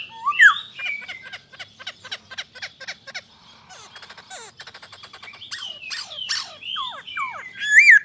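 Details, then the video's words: Masked laughingthrush giving a jumble of harsh chattering notes and short whistles, with a sharp upward whistle at the start and a looping whistled note at the end. "POKSAY HONGKONG YANG BERKELAS"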